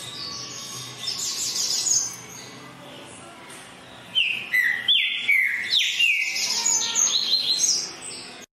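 Green-winged Saltator singing loud, clear whistled phrases with sliding, slightly falling notes, delivered in two energetic bursts, with a brief quieter pause between them.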